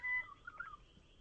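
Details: Regent Honeyeater giving the correct wild call, a soft chuckle: a clear whistled note, then a quick burst of warbled bubbling syllables, all within a second.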